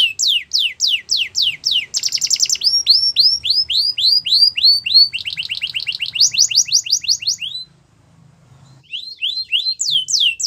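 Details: Song of a Belgian canary meant to prompt other canaries into singing: fast repeated downward-swept whistles, dense buzzing rolls and bright trills in shifting tours, broken by a short silence near the end before resuming.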